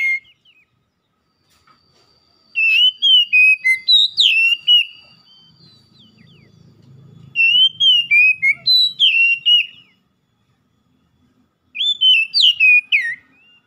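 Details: Oriental magpie-robin song played to stimulate a stressed bird that has stopped singing: three separate bursts of rapid, varied whistled notes sliding up and down, with quiet gaps and faint low rumbling between.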